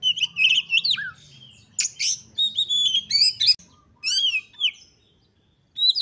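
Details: Oriental magpie-robin in full, highly excited song used to stir other magpie-robins into singing: a loud, varied, continuous run of slurred whistles, sharp notes and rising sweeps with brief pauses.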